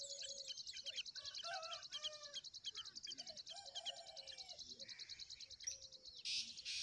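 Young tailorbirds give a fast, high, scratchy chatter of chirps, about two or three a second, with a few low whistled notes from another bird underneath.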